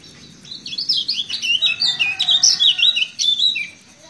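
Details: Lemon-bellied white-eye from Lombok delivering a fast, energetic song of high chattering, slurred notes repeated in quick pulses, building in loudness before tailing off.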